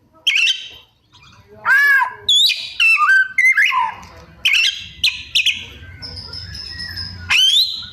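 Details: Mimicking magpie-robin delivering varied copied phrases: arched whistles, quick high sweeps, stepped notes and a sustained thin high tone, with a low hum underneath.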